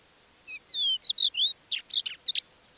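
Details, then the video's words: Crested Lark, the most trusting early-morning singer near Divnoye village, north Stavropol (Manych), 21 April 2024, in calm dawn air, at last sings softly: clear whistled slurs, then buzzy, rasping jumbles mimicking other birds, including a Linnet's song. "Наконец, хохлатый жаворонок не выдержал и вполголоса выдал свой расширенный репертуар."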